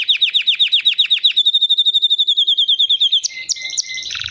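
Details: Song of a white canary: quick repeated downslurred chirps about four per second, shifting into a faster even trill, then a few short lower notes and a brief buzzy burst.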